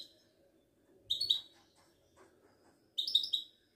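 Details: Two crisp, tinkling twitter bursts about two seconds apart from a caged Wedani-type goldfinch of Morocco at a Casablanca bird market, with near silence between them.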